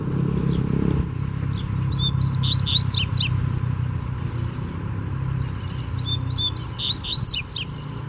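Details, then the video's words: Free wild double-collared seedeater (coleiro) singing hard in challenge at a caged bird: two bursts of fast, high, sharp twittering and chipping notes with steep downward sweeps, over a steady low rumble of traffic. "Coleiro Solto Veio Com Força Pra Cima Do Braddock"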